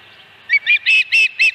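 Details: Osprey at its nest on a ranch nest cam, recorded 26 August 2020 around a fish delivery: five loud, sharp whistled chirps in quick succession over about one second, each piercing and slightly ringing, after a brief quiet start.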